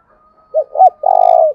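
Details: Spotted dove decoy calling to attract wild doves, thúc bổi style, thổ đồng voice. One phrase: two short looping coos and a long rough croo, with a thin steady tone running behind.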